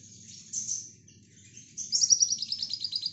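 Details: Kolibri ninja, the Brown-throated sunbird, in rapid nembak song recorded as a tutor for lovebirds. High thin slurred notes give way to a fast trill that descends slightly in pitch.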